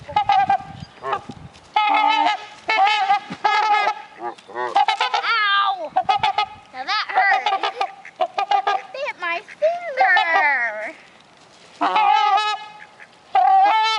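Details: At a bird sanctuary, two trumpeter swans honk back and forth in a busy exchange of brassy, nasal calls. Some are short, others are drawn out and wavering, with brief pauses between bursts.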